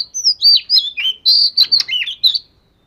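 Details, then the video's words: Scaly-form Oriental magpie-robin singing in daily voice practice: a flowing phrase of about ten clear whistles, long slurs and short trills over two and a half seconds, with no other sounds. "Chòe Than Vẩy Cá Hót Giọng Siêu Hay-Luyện Giọng Chòe Than Hót Hay Mỗi Ngày-Suara Burung Kacer Gacor"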